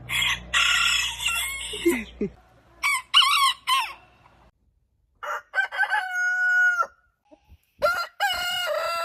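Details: Roosters crowing in the morning: a rough noisy crow with a low hum, then short stuttered notes. Next comes a long clear crow held steadily, and another crow begins at the end.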